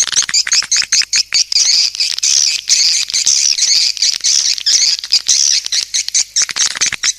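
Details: Rapid, rhythmic chirping from swiftlets, about two notes a second at first, merging into a dense shrill twitter broken by short silences.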